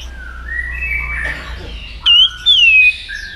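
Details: White-rumped shama trained to sing for competitions, giving soft faint whistles and then two clear, loud, wavering high whistles separated by a short gap.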